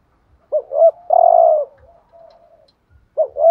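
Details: Spotted dove decoy call in the urging style, meant to rouse other doves: two short rising notes, a long hoarse coo fading into a soft hum, then the short notes start again.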